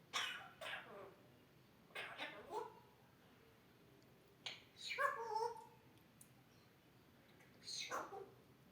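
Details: Grey parrot mimicking human talking and coughing: scattered breathy, voice-like syllables and coughs, with a short run of clearer tonal talk in the middle, separated by pauses in a quiet room.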